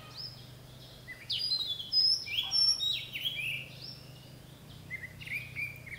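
Oriental Magpie-Robin singing a varied run of clear whistles, slurred notes and short scratchy phrases, rich and rapid, over a steady low hum.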